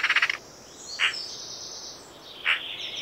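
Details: Eurasian magpie: the tail of a rapid harsh chatter, then two separate short, rasping single notes about one and a half seconds apart, with faint high bird sounds behind.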